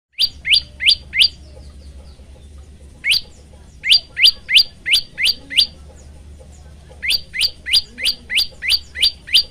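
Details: Male prinia (prenjak lumut) in full song, recorded on a phone and offered as a training lure for other birds: sharp rising chirps repeated about three per second in bursts of four to eight, with a low hum underneath.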